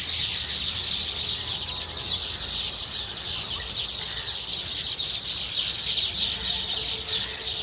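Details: A chorus of baya weavers producing a constant, shimmering wall of high twittering and buzzy chips, steady in volume from start to finish.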